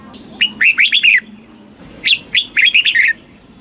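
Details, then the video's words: Red-whiskered bulbul, a caged bird from Thailand, giving southern master-pattern song used to stimulate caged birds and train young birds: two quick phrases of rich, slurred whistles, each about a second long, separated by a brief pause. "เสียงนกกรงหัวจุก สำหรับต่อ หรือ เปิดให้นกคึก"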